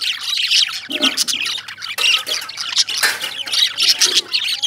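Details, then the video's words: Lovebirds chirping: a dense, harsh jumble of shrill squawks and rapid chirps from several birds, with short loud bursts about once a second. "Love Birds Chirping"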